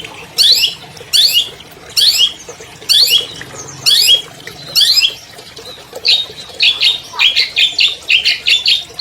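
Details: Albino long-tailed shrike kept in captivity, first giving spaced harsh, scratchy bursts about once per second, then shifting to a faster chatter of short, grating notes.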